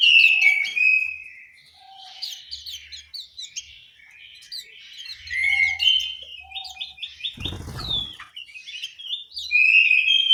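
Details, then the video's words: Singing orange-headed thrush in a Malang aviary, East Java, with loud whistled phrases alternating with softer twittering and chirps; a short harsh rustling noise near the end and a faint low piping note at times. "suara burung anis merah"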